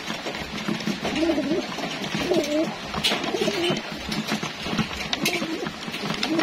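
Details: Racing homing pigeons at feeding time in a loft, cooing repeatedly in low wavering phrases, several birds overlapping, with clicks and scratchy bustle of feeding in the background.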